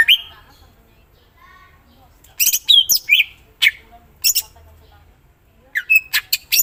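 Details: Greater green leafbird song in bursts: sharp downslurred whistles and buzzy chatters, separated by long quiet gaps, with a pause in the middle and a cluster of notes near the end.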